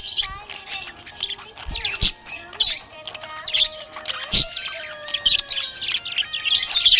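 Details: Budgerigar described as happy, giving continuous chirping: a dense, fast warbling chatter of short, high, scratchy notes and squeaks that runs without pause throughout, with sustained, sliding musical tones playing underneath.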